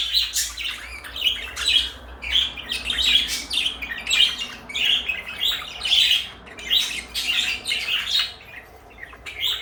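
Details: Two companion parakeets, blue and pale yellow, give bright chirps in short clustered bursts about every second or two, scratchy twitters rising and falling in a quiet indoor room.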